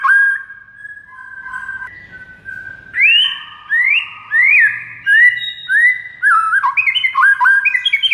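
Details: White-rumped shama master song for training and triggering responses in other shamas: fluid whistles and rising slurs building into a quickening series of short, bright repeated notes.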